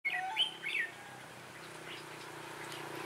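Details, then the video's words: Red-whiskered bulbul decoy bird singing to lure wild birds into a trap, recorded 11 December 2016 in Vietnam: a few quick warbled whistles rising and falling within the first second, then quiet background hiss. "Bẫy chào mào Mồi tập sự ra trận"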